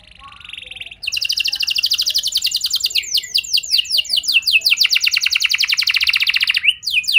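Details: Canary song played to lure other canaries into singing: a brief buzzy opening, then long rapid trills of repeated notes at a high pitch, shifting into sweeping falling notes and a faster rolling trill.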